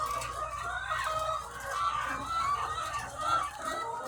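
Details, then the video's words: A huge flock of egg-laying hens on a farm fills the air with a thick wash of clucks and short rising squawks, the chorus swelling and easing, with a low hum of machinery. "The Sound of Thousands of Egg-Laying Chickens"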